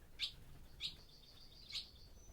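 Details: Barn swallows inside an old barn in daytime, returned for the breeding season: three short, sharp chirps spaced about half a second to a second apart, with a thin high whistle trailing between them.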